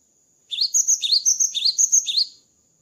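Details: Cinereous tit (gelatik batu) after moulting, singing a run of high whistled notes, lower rising-falling notes alternating with sustained upper ones, about two seconds long in a quiet setting.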